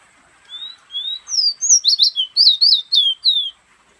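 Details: Fire red, a pet bird in Guyana, resting in the hand and whistling. Two soft rising notes lead into a lively string of about ten bright slurred whistles, ending in a falling tone, in a quiet setting.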